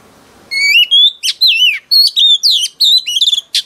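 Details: Female oriental magpie-robin, caught wild, singing to stir up males: opening rising whistle, then a busy series of looping whistled notes, quick trills and harsh clicks, ending on a buzzy burst.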